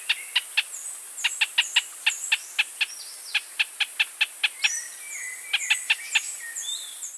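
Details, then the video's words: Pinto's spinetail delivers long runs of evenly spaced, abrupt notes, roughly three to four each second, over several seconds. A chorus of high, thin whistles and descending slurred notes from other birds continues throughout. "Pinto's Spinetail"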